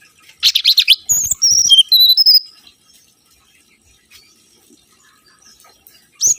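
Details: Lure recording of a mangrove whistler: a harsh, noisy burst, then a short phrase of clear high whistles sliding down and up, followed by near silence.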